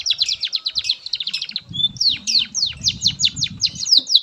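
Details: Canary master song for training young birds: rapid chattering descending notes, a short pure whistle, then slower sweeping whistles over a faint low rumble.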